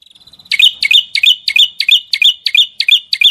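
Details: Songbird singing gacor for masteran: after a soft buzzy start, a quick regular series of nine sharp chirps, each a high note sliding down then back up, about three per second.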